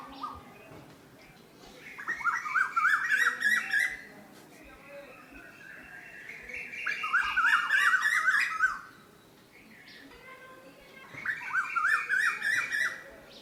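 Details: Asian koel (koyal) voice in three separate bursts of fast, bubbly, repeated notes, each burst lasting about two seconds, over a thin sustained high tone with quiet gaps between bursts.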